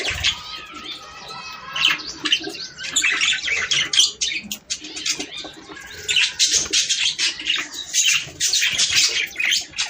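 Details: Budgerigar song for breeding stimulation, opening with clear rising and falling whistled calls, then thickening into rapid scratchy chatter and bursts of chirping that come and go.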